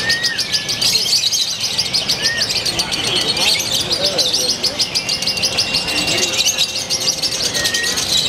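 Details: Lovebird of Purwakarta, Indonesia, in its new singing style with very short pauses, delivering a long, fast, high-pitched chattering trill of quickly repeated notes, a few lower whistled notes and human voices in the background.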